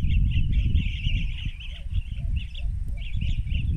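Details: Rufous-crowned bee-eaters in Banna, Ilocos Norte, Philippines, 19 March 2021 at 14:30, recorded through a phone on a spotting scope: rolling, trilled calls repeated in quick series over strong low wind-like rumble.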